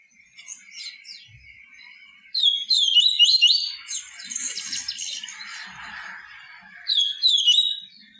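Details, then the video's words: Yellow-bellied seedeater with the pure 'tui tui viviti' song, meant to stimulate captive birds: loud high warbled phrases over a lower hissing rush, with some faint low knocks, then a final short twittered phrase. "CANTO DO PAPA CAPIM TUI TUI VIVITI, CANTO PURO"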